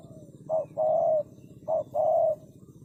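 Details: Two phrases from a spotted dove, each a brief low coo followed by a longer drawn-out one, with a soft low hum in the background.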